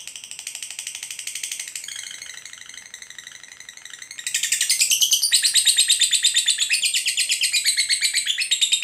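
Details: A lovebird's ngekek, a continuous high, harsh chattering trill, softer at first, then louder and stronger from about four seconds onward with rising scratchy phrases.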